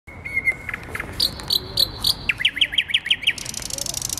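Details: Thrush nightingale singing after midnight in May in central Warsaw, perched about two metres overhead in dense branches of a tree on a city square; a long flat whistle, clicks, fast repeated upslurred notes, then a dry buzzy rattle.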